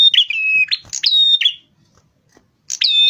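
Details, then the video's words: Rufous-fronted prinia, known locally as prenjak kepala merah, sings energetically in a recording used to lure birds. Two quick phrases mix buzzy chatter with steady high whistles, then a pause before a new phrase begins. "suara masteran pikat prenjak kepala merah gacor"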